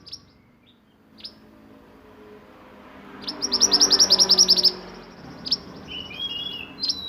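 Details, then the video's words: Sunbird, a kept songbird used as a model for training other birds, with a roll-type song: a rapid series of about a dozen high, sharp repeated notes lasting over a second, with scattered single chirps before and after. "Burung mantenan gacor roll nembak untuk masteran"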